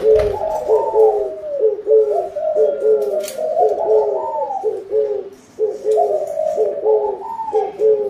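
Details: Spotted doves calling for a bountiful harvest: several low, hollow cooing phrases overlap throughout, each falling slightly at its end and repeated in dense layered bursts, with brief gaps around the fifth second.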